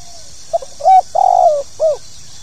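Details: Tekukur, or spotted dove, in 'pokal tanggung' calling style meant to make new birds sing: two soft short notes, a firm coo, a long quavering downward-sliding coo, then a rounded closing note, with faint background hiss.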